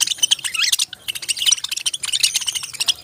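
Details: Busy parrot chirping: fast, twittering high notes, including a short rising-falling warble, run almost continuously through the recording.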